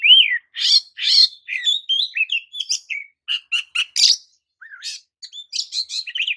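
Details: Oriental magpie-robin song used to excite rival magpie-robins: loud opening whistle, then a fast sequence of sharp clicks, chirps and buzzy notes, a short pause, and more high twittering.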